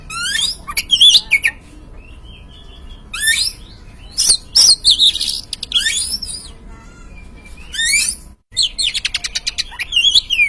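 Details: Oriental magpie-robin song serving as a lure for a caged bird: scattered bursts of scratchy, chattering notes and whistles with quiet stretches in between, ending in a rapid stuttering series.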